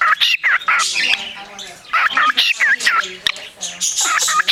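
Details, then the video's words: Parakeet in an animal shelter, recorded 29 March 2010 and described as a beatboxing bird, giving rapid chattering warble: quick squeaky chirps, clicks and short whistled notes in bursts, with faint indoor background noise. "Beatboxing Bird"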